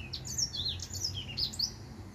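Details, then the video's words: Male white tip finch singing his song: a quick run of high, thin chirps and short rising-and-falling whistled notes, delivered in two bursts with a brief pause between them, over a low steady hum. "White Tip Finch"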